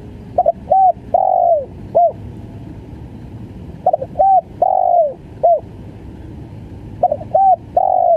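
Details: Spotted dove giving a full stuttering 'gagap' coo three times: a hesitant double note, a short coo, a long descending coo and a final brief note, each phrase roughly three seconds apart, low rumble in the background.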